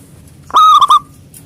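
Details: Local zebra dove in strong voice singing to challenge rivals, heard as one brief, loud burst of three rapid rolling coos.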